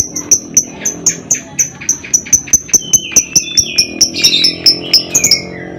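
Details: Lovebird ngekek: a steady series of short, sharp, high chipping notes, about four a second, with a few lower buzzy notes mixed in toward the end and faint background hum.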